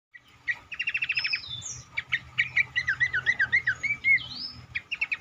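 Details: Cingcoang song played as a lure to make other cingcoang birds sing more actively: a rapid buzzy trill of repeated notes, then a run of clear slurred whistles and sharp chirps, over a low steady hum.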